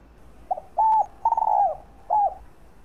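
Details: Spotted dove cooing as a lure to stimulate other doves: one full phrase, a quick doubled pickup note, a steady coo, an extended tremulous croo falling away, then a short bowed last note.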